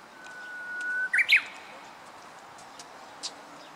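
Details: Japanese bush warbler song, a steady whistled note held about a second, ending in two sharp, higher, quick flicked notes; a few faint distant chips afterward.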